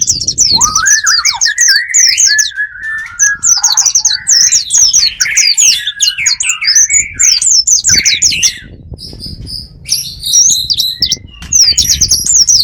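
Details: Bird sounds used as a lure for attracting wild birds: dense, overlapping high chirping phrases with rapid repeated notes, plus a lower warbled line climbing then wavering. Several voices are layered at once, with short pauses.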